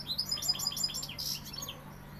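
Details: Sevillian European goldfinch delivering a rapid, liquid twittering song of bright, high, quickly repeated notes with a short buzzy flourish near the middle, over a constant low electrical hum.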